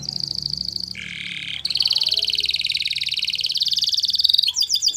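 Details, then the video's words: Yellow canary delivering sustained warbling trills, one dropping lower before a long high rolling trill and quick final notes, over a low steady background hum. "Canary Yellow Singing"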